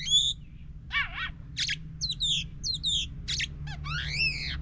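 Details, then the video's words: Oriental magpie-robin singing, meant to stimulate a silent bird into song: wavering warbled notes, harsh buzzy bursts and sweeping downslurs in separate phrases about half a second apart, with faint low hum beneath. "Pancingan Ampuh untuk Kacer yang Macet Bunyi"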